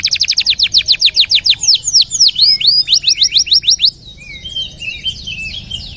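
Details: A canary delivers a long song, a master recording for other songbirds: quick rhythmic trills and sweeping whistles, then softer scattered chirps fading toward the end.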